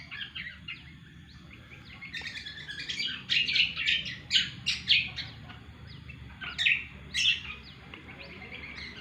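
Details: Cucak kombo singing actively: after a quiet start come rapid, loud chattering phrases of sharp chirps and whistles, nearly two a second, then a further vigorous burst, over low background hum.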